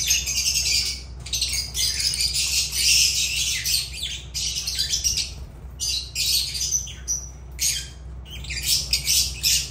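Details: Continuous harsh lovebird chatter, rasping high squawks packed closely together with brief pauses, the flock-like din rising and falling for nearly ten seconds.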